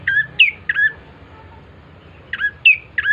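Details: Bar-winged prinia song meant to lure other birds into singing: three sharp two-part chirps dropping in pitch, a silent gap of over a second, then three more matching chirps.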